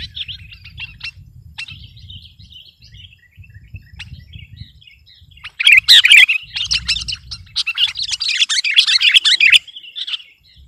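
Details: Sooty-headed bulbul singing to overpower rivals: soft, scattered chirps over a low rumble, then a loud, dense burst of fast chattering, warbling notes that gradually fades.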